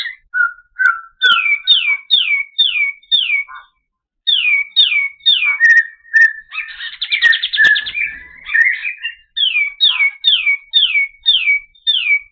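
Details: A white-eye (kapas tembak) sings a long, clean master song of rhythmic downslurred whistles in runs of five or six. A short pause breaks the first run, and a dense buzzy trill sits in the middle before the whistles resume.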